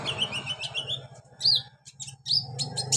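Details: Olive-backed sunbird training song for beginner birds: soft high warbling followed by a few sharp, emphatic chirps and a brief whistled phrase, with a persistent low droning hum.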